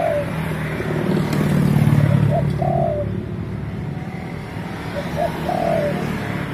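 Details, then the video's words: A spotted dove gives soft, low coos, a short note followed by a longer drawn-out one, repeated twice, over a steady rumble of traffic. "spotted dove sound"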